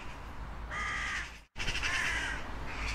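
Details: A crow utters two drawn-out, hoarse caws separated by a brief silent gap, each harsh and evenly pitched, with a faint low background hum.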